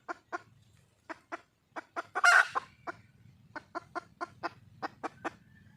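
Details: Calling for a male, a wild red junglefowl hen utters crisp clucks in spaced groups, with one louder harsh squawk in the middle before the clucking resumes.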